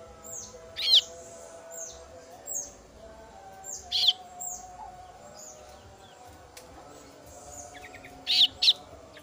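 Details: Female kasu-kasu chick calling for its parent with scattered single high chirps a second or two apart, ending in a louder closely spaced pair, over a steady low hum.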